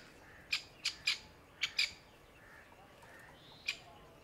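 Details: Panicked grey francolin mother with newborn chicks among dried leaves: a quick burst of five grating squawks in the first two seconds, then a pause and one final harsh note.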